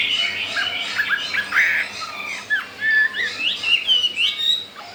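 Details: Chinese hwamei newly brought in from the wild, caged four days and eager to breed. It alternates harsh squawky notes with bright upward-swooping whistles, in short bursts separated by small gaps.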